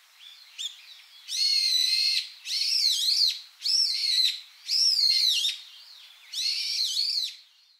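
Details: Brown-eared bulbuls exchange evening contact calls at Ōarai, Ibaraki, Japan, on 9 November 2008: five loud, harsh, screechy calls, each under a second and slightly wavering, with short pauses between them.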